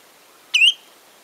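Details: Spotted redshank song at Karsiborska Kępa: a single sharp, high whistled note that starts with a click and slurs upward, over an otherwise quiet background.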